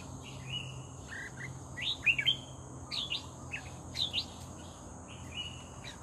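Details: Red-whiskered bulbul, lured in and singing, gives softer scattered chirps and short warbled notes over a faint low hum and a steady high hiss.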